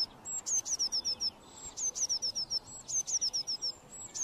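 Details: Eurasian blue tit (Cyanistes caeruleus) singing: three phrases, each opening with a very high thin note and then a rapid trill of six or seven short, sharp, descending notes, spaced about a second apart over a quiet background.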